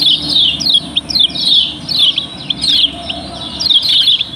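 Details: Yellow-bellied prinia (kecial kuning, from Lombok) song used as a lure to set other birds singing: lively, high chirps and twittering phrases repeated in quick bursts about every half second.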